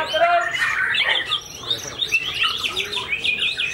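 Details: White-rumped shama, post-moult with white tail, bursts into vigorous song: rich warbled phrases and rising sweeps, then a string of bright rapid chirps, louder at the start and pulsing through the rest.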